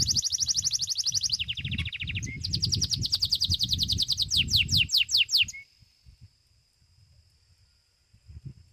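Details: Belgian canary, a domestic bird, competing in a singing contest's seventh edition: rapid rolling trills, a lower buzzy segment, then quicker high pulsed rolls ending in a thin sustained tone, over low room noise.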